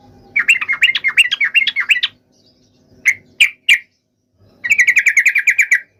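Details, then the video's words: Yellow-vented bulbul fighting song meant to draw a reply from other bulbuls: a two-second chattering burst of wavering notes, then three separate sharp chips, then a fast even series of about twelve clipped notes. "trucukan gacor TARUNG FULL EMOSI TAJAM ini ampuh MENJADIKAN agar burung trucuk gacor NYAUT SEKETIKA"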